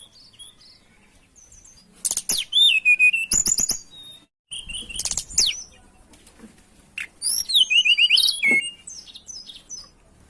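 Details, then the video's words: Mountain tailorbird lure song: bursts of high, thin whistled and trilled notes in rapid sequences, with sharp rising and falling slurs, separated by short quiet gaps. "Suara Pancingan Ampuh Burung Tledekan Gunung gacor"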